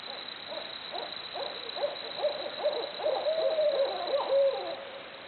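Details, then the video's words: Barred owls making loud jungle-like noises: a growing run of rapid, irregular hoots and cackles that swells to wavering, drawn-out notes near the end, with steady faint hiss throughout. "Barred Owls Hooting Away Making Jungle Noises."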